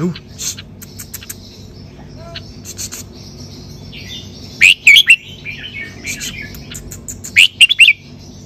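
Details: Red-whiskered bulbul, 'sai beun' song style: soft scattered chirps lead into two bursts of three or four loud, fluty rolling notes about three seconds apart.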